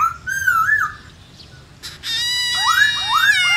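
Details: White-browed laughingthrush singing a varied forest-style song of rich whistled phrases that rise and fall, broken by a brief harsh burst before the whistling resumes more loudly; played to stimulate captive birds to sing.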